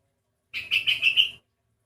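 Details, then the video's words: Sooty-headed bulbul with an unusual voice, unlike typical birds of its kind: a single short, buzzy, pulsed phrase of about five quick throbbing notes on an even high pitch, lasting under a second in quiet surroundings. "kutilang ini bersuara aneh, dengar sendiri suaranya"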